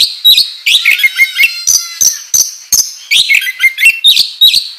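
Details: A training lure of oriental magpie-robin song in the ngobra style, with bright rising whistles and low steady whistled tones broken by sharp crackling bursts at an irregular fast beat.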